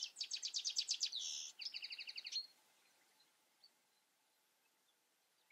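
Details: European goldfinch in the Eifel, a burst of fast repeated high chattering notes for over two seconds, briefly sustained in the middle, then quiet with a few faint distant chirps.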